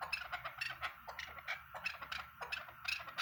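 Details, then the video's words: Chukar partridge giving a rapid series of harsh, clucking chuck notes, about three per second, over a faint low rumble. "chakor masti awaz keklik sesi"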